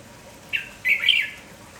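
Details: Village red-whiskered bulbul, lively in the morning and calling nonstop: a short harsh note followed by a longer buzzy, slightly warbled phrase over steady background hiss.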